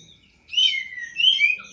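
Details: Poci bird (prinia), bathed nightly for contests, gives two short, high, sweeping warbled phrases, each slurring downward, with a brief gap between them.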